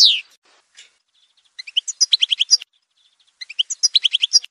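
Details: Algerian goldfinch song from a montage recording: a sharp descending note, then two bursts of rapid, bright twittering syllables repeated in quick series, high-pitched and clean with silence between phrases.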